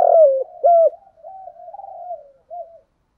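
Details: Decoy spotted dove, kept for luring and stirring up wild doves, giving a loud opening coo followed by softer, drawn-out hollow coos, then a short final note.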